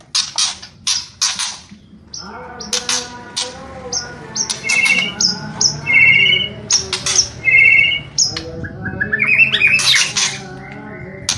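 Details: White-rumped shama delivering kretekan and whistling song. Crackling rattles open the song, followed by rich repeated whistled phrases, each a warbled note about a second long, ending in a busy high flourish.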